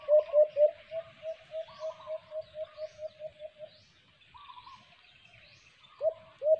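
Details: A white-eared brown dove (alimokon) near a cage trap calls with three loud upswept hoots, then a long even run of softer notes that gradually fades. Short higher stutters break in, and two loud hoots return at the end.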